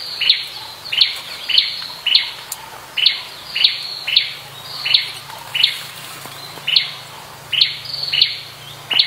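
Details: Sharp, high, ticking notes from a wild Blood-breasted Flowerpecker, repeated steadily about every half second to second for nine seconds, each a bright short tsip, with little else but a faint low hum.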